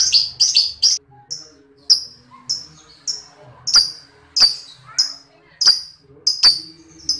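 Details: Lovebird chirping for training other lovebirds: sharp high chirps, some in quick clusters, then spaced roughly every half second, with faint clicking knocks underneath.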